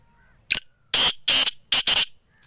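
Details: Sindh black francolin giving its rasping call: a sharp opening note, then four loud grating, scratchy bursts, two longer and two closely paired, with a faint whistled bird note in the background.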